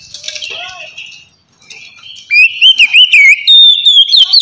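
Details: Relaxed ngeplong song of a white-rumped shama, played to lure untamed shamas: after faint murmuring, the last two seconds bring loud, clear whistled notes with wavering pitch in rapid succession.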